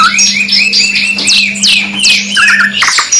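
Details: Canary song from a 2 in 1 kenari mewah master track: rapid slurred whistles and downward sweeps tumbling over each other, ending in a short rattling trill, over a low steady hum.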